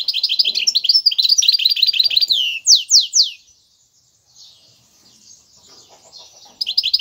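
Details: Caged goldfinch hybrid, known as a meli or bunduq hybrid, singing: a fast run of high twittering, trilled notes, then three loud sweeping whistles, a quiet stretch of faint chatter, and the rapid twitter returning at the end.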